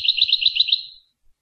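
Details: Tunisian goldfinch in Rasta Torka song style giving a fast, even string of high, liquid twittered notes lasting about a second and fading out at the end.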